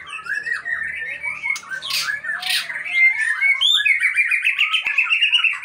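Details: White-rumped shama kept as breeding stock, the Aceh type, singing a dense run of varied warbled and chattering phrases with harsh squawk-like notes, mid to high pitched, continuous throughout.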